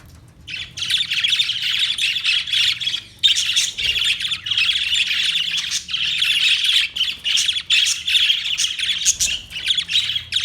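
Parakeets chatter almost without pause, a dense run of harsh, scratchy chirps and squawks high in pitch, overlapping as several birds call at once.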